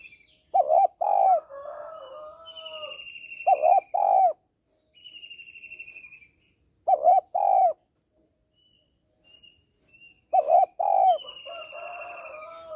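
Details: Female spotted dove calling to stimulate males: paired, low, throaty coos repeated about every three seconds, interleaved with long, high, quavering whistle tones.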